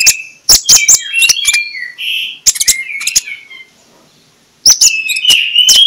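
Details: Morning lure song of a magpie-robin, 'ngeplong' style, to coax slow magpie-robins into song: whistled phrases with sharp clicks, a silent gap of about two seconds, then a loud whistled burst.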